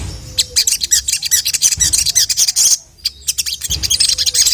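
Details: Ruby-cheeked sunbird (sogon) in lively 'gacor' song meant to call a male: rapid strings of piercing high chips and twitters, a brief silent gap near the end, then more sharp chirping.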